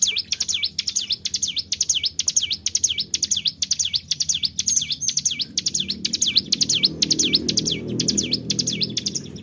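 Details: Bar-winged prinia (cigun) singing vigorously in the 'tarikan bren' style for luring other birds: continuous high V-shaped sweeping notes with clicking ticks between them, over faint low background noise.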